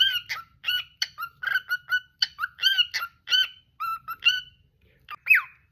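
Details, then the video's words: Cockatiel giving a lively series of short chirped and whistled notes with rich overtones, irregularly spaced over several seconds, ending with one loud upswept whistle. "Adorable Cockatiel's Fun & Singing Moments"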